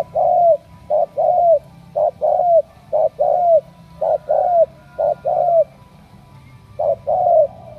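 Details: Spotted dove from Cà Mau, Vietnam: clear paired coos, a quick note then a longer descending one, repeated roughly every second before a brief pause and a final pair.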